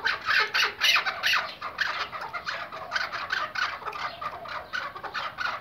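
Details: Iraqi white hunting decoy partridge calling: a dense run of rough, harsh chuck notes, about three to four a second, rising and falling in loudness without a break.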